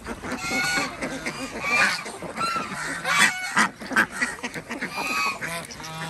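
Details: Morning egg collection among Desi ducks on an Andhra Pradesh village farm; loud nasal quacks come in bursts, with short quieter gaps between clusters of calls.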